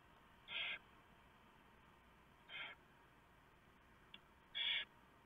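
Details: Barn owl nest at night, 3 November 2015, where the owlets are fed a large mouse delivered by the male. Three short, breathy hisses stand out from a quiet background, with one brief tick between the last two.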